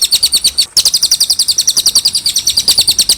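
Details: Cililin song recorded cleanly for tutoring young jalak suren and kacer: continuous quick train of shrill, high paired chirps at a steady pace, broken by a momentary gap early on.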